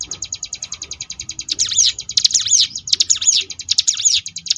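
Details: Sunda bush warbler ngebrem variation, recorded to tutor contest birds: a quick buzzy ticking trill that breaks into dense, loud, swooping whistled flourishes after the first second and a half.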